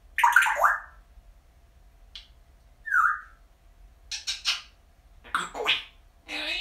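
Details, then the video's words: Happy talkative pet parrot chatting indoors: harsh squawky bursts and one short whistled note, then a rapid cluster of scratchy chattering syllables, separated by brief silent gaps. "the Parrot Grumbles, chats and muses. A happy talky bird!"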